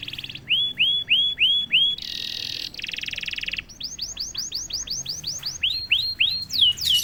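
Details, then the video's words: Canary that starts singing after a single prompt: rounded chirps in series, two buzzy trill bursts, then a quick run of arched whistles with a few sharp high notes at the end. "KENARI GACOR||060|| Sekali pancing kenari diam langsung bunyi."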